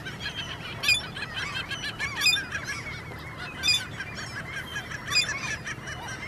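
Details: Squeaking begging calls of common gulls during the mating season; high, thin squeals recur about every one to one and a half seconds, with several birds calling over a constant low hum.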